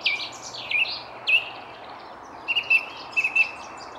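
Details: Song thrush singing bright, ringing notes in short phrases repeated two or three times in quick succession, over faint hiss; Jardin du Roi, Versailles, France, 19 February around 9:30, misty weather broken by sun, among many thrushes.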